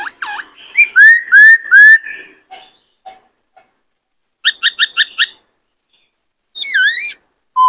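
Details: Captive male White-cheeked laughingthrush sings and dances, stimulated by a newly caught bird: a string of rising whistled slurs, a quick burst of five buzzy notes, then a descending harsh chevron note.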